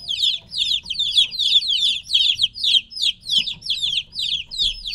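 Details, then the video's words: Young chickens about three weeks old, separated from the mother hen, peep in loud pulsing waves, roughly three chirps per second, each sharp and falling in pitch. "2 HOUR OF LITTLE CHICKENS CHIRPING NOISE"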